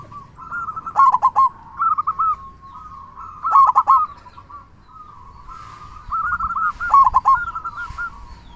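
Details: Lively local zebra dove song with a big 'kung' sound, meant as a lure for silent doves: three rounds of fast cooing phrases, each building into a loud burst of rolled notes.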